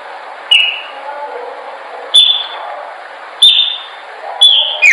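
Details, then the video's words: Chopi blackbird singing as a training song: four sharp, high whistled notes, each starting with a click and dropping slightly, spaced roughly one to one and a half seconds apart over a soft hiss. "melhor pássaro preto/cantando para treinamento."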